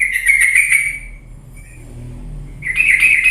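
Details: Yellow-vented bulbul (trucuk) in lively, fierce song used as a lure to get lazy birds singing: bursts of harsh, rapid chattering notes, then a quiet gap with low rumble, then the scratchy chatter resumes.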